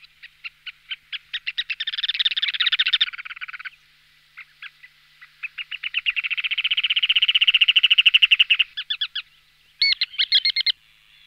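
Ruddy Turnstone giving hard, rapid chattering rattles, quickening into fast staccato runs of high notes before breaking off, then bursting out again.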